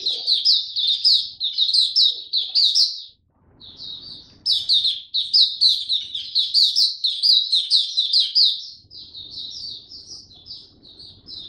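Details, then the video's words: Developing song of a male white-eye, recorded 9 February 2022: long stretches of fast, high twittering warble, one brief pause, then more chattering, ending in softer spaced phrases. "Mata Puteh Dagger Video 1 buka sing tiong aw studying his progress n maturing"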